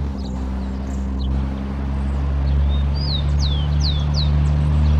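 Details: Rufous-collared sparrow (tico-tico) in an urban setting: a soft rising whistle followed by three to four sharply falling slurred whistles, half-masked by a loud, steady low engine-like drone that swells throughout.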